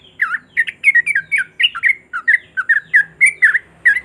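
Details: Sooty-headed bulbul song for prompting silent bulbuls to start singing: evenly spaced, somewhat harsh, bubbly two-part notes, roughly three per second, sounding like a lively chattering squabble.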